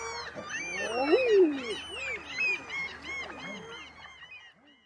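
Several Common Eiders croon overlapping low, moaning 'ah-ooo' calls that rise then fall, several each second, with higher chatter from other birds behind.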